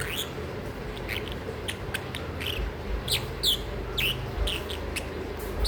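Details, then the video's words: Pet masked lovebird, described as sleepy, indoors in a small room, giving short, sharp chirps that sweep up and down, scattered irregularly, with a low room hum underneath. "#Sleepy Bird #Bluey #Masked lovebird # Noisy #Cutesounds"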